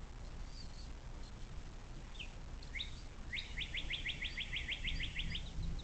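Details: Bald eagle on its southwest Ohio nest near South Lebanon, USA, on 06.04.2024 at 17:23: a few scattered high notes, then a fast even string of about fifteen piercing chittering notes over constant low rumble.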